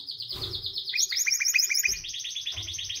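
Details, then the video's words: Short burst of white canary song: a rapid high trill with quick chirped notes layered above, over a faint low rumble and brief thumps. "White Canary Singing 🎶 Kanarienvogel Gesang"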